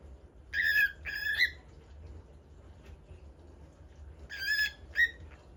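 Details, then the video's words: Pepper bird (common bulbul) singing at a new spot, giving paired clear whistled phrases with a downward slur, a pair near the start and another pair about three seconds later, with silence between and low background hum. "Pepper Bird singing in a new spot"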